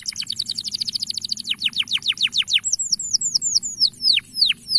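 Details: Male canary singing to prompt young canaries to sing: a fast trill of steep descending notes, then slower sweeping whistles dropping from high pitch, with a steady high tone in the background.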